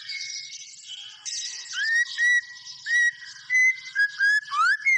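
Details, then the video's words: White-rumped shama singing clear, pure whistles, short upslurred notes repeated about every half second, preceded by softer warbling and ending in a rising sweep. "SUARA BURUNG MURAI BATU GACOR"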